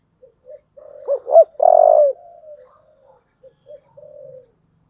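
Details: A spotted dove cooing in the 'thổ' voice to incite fighting. Soft short notes lead to two hooked rising calls and a long, loud, coarse coo, then quieter trailing notes and a faint closing coo.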